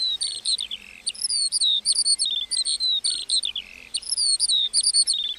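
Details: A lark sings in a meadow: a continuous stream of high, chirping notes, with quick sliding whistles and short trills run together without pause.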